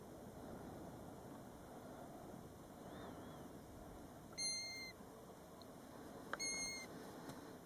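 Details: At Batsfjord a European golden plover calls by its nest seven feet from the road, recorded from a car: two pure, mournful whistles about two seconds apart against a steady low hum.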